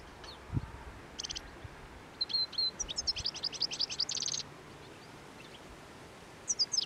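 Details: European goldfinches feeding on plane tree seed balls along the Anapodaris river in midwinter, 17 January 2021; soft, distant high twittering notes mixed with short buzzy rattles, a quiet pause, then a final brief chirp cluster.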